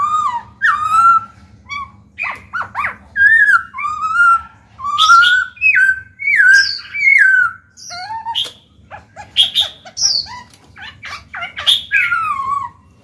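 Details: Black-throated laughingthrush, caged, giving song meant to make newly caught birds start singing: a long run of mellow rising and falling whistles interspersed with sharp high clicks and bursts, loud and nearly continuous.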